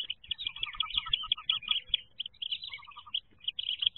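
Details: Many wood duck ducklings in a nest box, 2023 jump day, peeping constantly: shrill, short notes tumbling over one another in bursts, some in quick runs of four or five.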